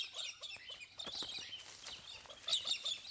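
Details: Wild Galahs in Australia, flocking and feeding on abundant seeds, give a busy stream of high, harsh screeches and clipped chattering notes that overlap every fraction of a second.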